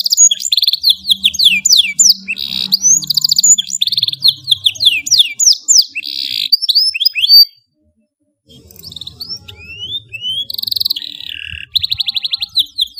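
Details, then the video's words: Canary singing a long, sweet gacor song used as a master recording to tutor young birds; rapid trills and downslurred whistled notes, a one-second pause midway, then buzzy rolls resume. "KENARI GACOR SUARA PANJANG SYAHDU MASTERAN PAUD"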